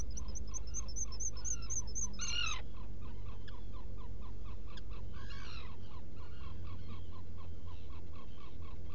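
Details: Black guillemot at its burrow on Seal Island NWR, Maine, on an early June 2018 morning; quick repeated short peeps broken twice by a louder drawn-out, downslurred call, with steady low hum underneath.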